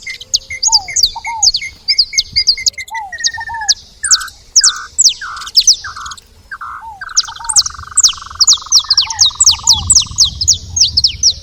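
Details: Saffron finch at a feeding spot: dense run of sharp, high, down-slurred chirps with steady lower whistled notes, then a fast buzzy trill held for about two seconds, then more quick chirping.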